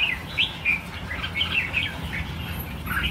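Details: A crowd of freed red-whiskered bulbuls, from a release of 1000 birds, calling in rapid bright chirps and rising whistles over a low rumbling background.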